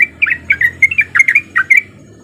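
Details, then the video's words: Lure song of a male sooty-headed bulbul in rapid 'ropel' style, used to get other bulbuls singing: a short burst of about ten quick, liquid chirps with slightly rising and falling notes, then silence. "Pancingan Trucuk Gacor Biar Trucuk yang Malas Bunyi jadi Ikutan Bunyi"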